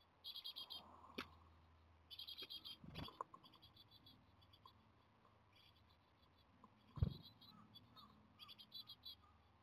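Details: Japanese tit nestlings, 17 days into nest care, begging energetically for food as the weather turns worse: bursts of high, thin, rapidly repeated squeaky calls, each lasting about half a second, plus scattered faint squeaks, soft rustling, and a loud knock near the end.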